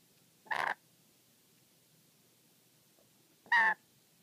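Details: Two separate harsh, croaking squawks three seconds apart from a wary pet black-capped lory that grows angry around its beloved sock; the room is otherwise still.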